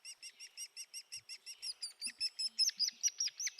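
Hairy Woodpecker whinny: a quick, even rattle of about twenty sharp high notes that holds its pitch and does not drop off at the end.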